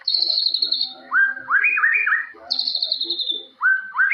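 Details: Forest white-rumped shama in jalilin-style song: long high sustained whistle, then a run of rising, looping whistled notes, repeated.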